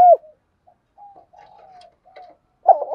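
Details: Spotted dove giving its calling coo, meant to stir and attract other doves; one loud low cooing note opens, faint soft coos follow, then a burst of throaty, wavering coos closes the short stretch.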